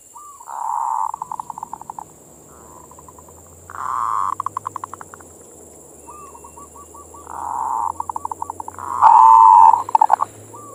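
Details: Repeated zebra dove phrases meant to provoke passion in other doves: soft purring trills fading into stuttered notes, gentle rolling coos between, and a final louder bubbling burst over a faint low hum and high whine.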